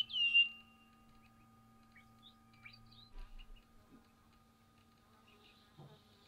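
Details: Pink cockatoo in a feeding group in eucalyptus at Patchewollock in the Victorian Mallee gives one loud, wavering, high-pitched call, followed by faint scattered chips and rustles over a low, steady background hum.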